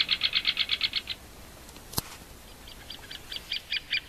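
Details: Great spotted woodpecker: a quick run of about nine sharp, even notes, a pause broken by one loud knock, then a second, fainter series that grows louder toward the end.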